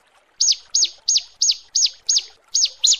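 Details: Female bar-winged prinia calling a male: eight sharp, high arched chirps repeated at a steady pace of roughly three per second.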